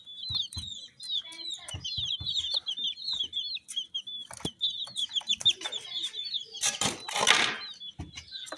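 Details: A flock of dyed chicks chirps steadily with thin, high peeps that overlap and run together. Clicks and a short burst of scraping noise near the end.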